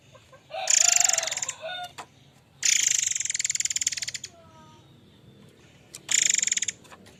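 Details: Murai air mancur, a lively, vocal songbird, used as a lure and tutor song for other birds: three loud bursts of dense, buzzy, rapid rattling chatter, each under a second long and separated by quieter gaps with faint short whistles.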